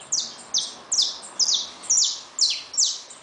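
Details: Saffron finches kept in a cage with newly hatched chicks give bright, high chirps that slide downward, repeated at a brisk, slightly uneven pace, about seven notes in three seconds.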